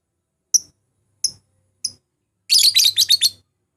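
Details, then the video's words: A lovebird lure for rivals, intended to get the bird singing: three isolated sharp high chirps, then a fast chattering cluster of shrill, scratchy notes. "pancingan memanggil lawan, burung lovbird"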